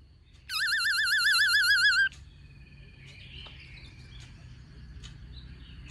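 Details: Black-throated laughingthrush singing many voices with a female calling: one long, rapidly warbling whistled trill lasting about a second and a half, followed by faint chips over low background hum.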